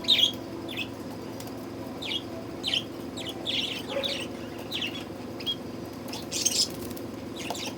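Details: Budgies suffering in hot summer weather, uttering sparse, brief high chirps roughly every half second to second, one louder squeaky note near the end, with a low steady hum behind.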